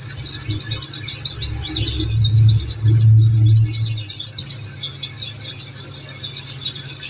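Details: Continuous high chirping and twitter of Oriental white-eye, a recording used to make caged birds answer, with a brief low humming tone midway and a quieter stretch after.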